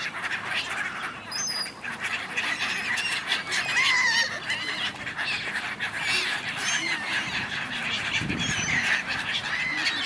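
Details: Many gulls arguing on the River Dnipro in Kyiv, Ukraine, in January: a dense chorus of overlapping harsh, wavering cries and squeals, several voices calling at once with no clear rhythm.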